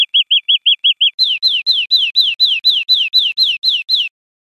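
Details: European greenfinch song for educating caged birds: seven short, clear chirps, then a series of slurred notes falling in pitch, repeated steadily about four times per second.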